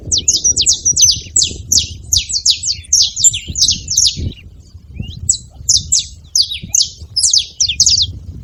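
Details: Saffron finch producing dense runs of shrill downslurred chirps, sometimes doubled, with a brief lull midway and low background rumble throughout.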